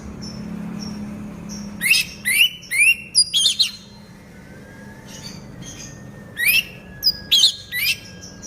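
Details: Orange-headed thrush in a cage, moulting but still singing. A lively run of five or six sharp, upslurred whistles, a pause, then another cluster of four rising notes. Soft low hum underneath.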